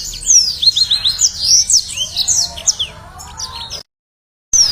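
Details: Yellow-fronted canary song used as a training lure: very high, quick slurred twitters and sweeping notes, continuous for nearly four seconds, a brief silence, then a final note; faint lower warbling beneath.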